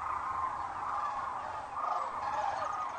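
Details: Sandhill cranes arriving for the night at Rowe Sanctuary, Gibbon, Nebraska, at sunset on April 4, 2013, captured by a crane cam: a dense, continuous chorus of many rolling calls blending into a steady mid-pitched roar.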